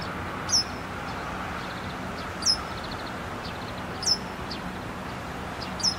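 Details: Japanese wagtail holding a large caterpillar in its bill, excited, calling repeatedly: sharp, high, downslurred 'piip' notes about every two seconds over steady low background hum.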